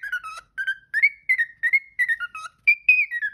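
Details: Caged house parrot singing and talking, a quick series of clear whistled phrases that rise, hold, then droop, spaced in short bursts with small silences between them, close to the microphone in a quiet room.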